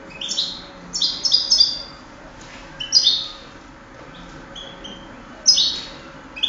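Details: Contest-singing European goldfinch from 2008 gives high, tinkling twittered phrases in bursts about every second or two, with short gaps, over a faint steady low hum.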